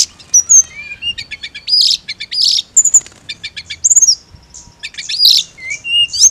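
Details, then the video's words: Mountain leafbird with thin rising whistles, rattling trill bursts and a loud downslurred whistle, varied phrases following each other quickly. "TERAPI ATASI TLEDEKAN GUNUNG HANYA NGIRIK"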